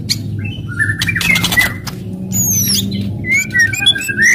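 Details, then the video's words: White-rumped shama giving aggressive crackling and shooting song meant to provoke other shamas: sharp clicks and rattles, then whistled rising and falling notes and high slurred phrases over a steady low hum. "KRETEKAN KERAS & TEMBAKAN MURAI BATU FASTOL.//, ASLI SUKSES MERANGSANG EMOSI"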